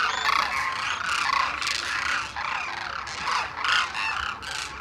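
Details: Demoiselle cranes wintering in Khichan, India, fed grain by villagers in an enclosure each morning; dense overlapping trumpeting calls from a large flock, continuous and loud throughout.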